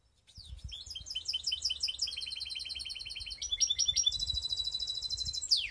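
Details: Mixed canary (baster) song from Skopje: long sequence of rapid, high, evenly repeated metallic notes shifting between trill types, ending in a steep descending whistle; loud and clean with little background.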